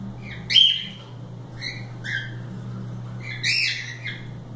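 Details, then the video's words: Cockatiels loose and playing, filmed indoors in a live stream; three bursts of shrill, squawky chirps with rising and falling notes, over a steady low electrical hum. "Calopsitas Live Canto dos pássaros"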